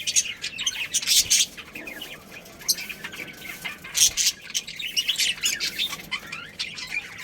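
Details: Pet budgerigars in a breeding colony give a steady stream of thin, high chirps and warbling chatter, with scattered sharper squeaks rising above the background twitter.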